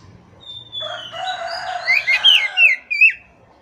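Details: Oriental magpie-robin in full song, used as training material for a silent, stressed bird: a long thin descending whistle, then a rich run of slurred rising and falling whistled notes and sharp chirps over a faint low hum.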